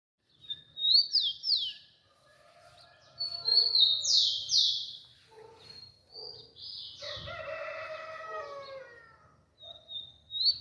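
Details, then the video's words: Rufous-collared sparrow singing on August 3: high, clear whistled notes that slur downward, given in short phrases with pauses between, while a harsher, lower call with stacked tones breaks in midway. "canturia de Tico-tico"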